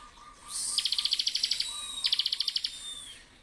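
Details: Bar-winged prinia in bursting 'ngebren' song: two rapid rattling trills of bright, clicky pulses. Each trill is followed by a thin, high, steady whistle that slowly trails away.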